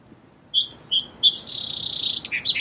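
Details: Song sparrow delivering three clear, evenly spaced whistled notes followed by a long, loud buzzy trill and a few quick lower chirps at the end.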